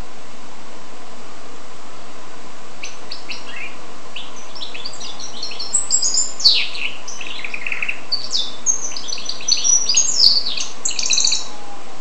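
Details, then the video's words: Goldfinch x canary hybrid: after about three seconds of quiet, scattered high chirps and short twittering phrases begin, loosening into a quick, irregular run of notes. "carduelis carduelis x canaria"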